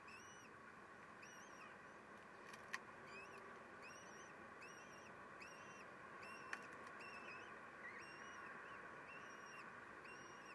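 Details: Common kestrels during a 12:45 feeding at the nest while the male steals; arched, nasal harmonic calls recur in short bursts about once a second, with two sharp clicks and steady hiss behind.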